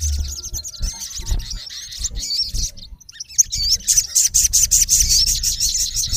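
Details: Male olive-backed sunbird calling a rival: rapid high, sharp chirps and twittering trills, dense and continuous, with a burst of fast repeated notes near the end; low thumps and handling noise underneath.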